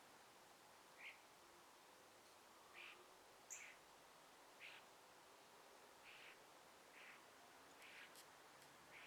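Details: Birds chirping among trees during a morning sunrise in a gentle breeze: faint, short high chirps spaced one to two seconds apart over a steady hiss of breeze.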